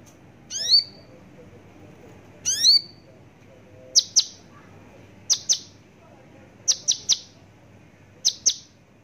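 A Javan bush lark gives two fast, sweeping trilled notes, then sharp high chips in pairs and triplets, about every second and a half, over a quiet background.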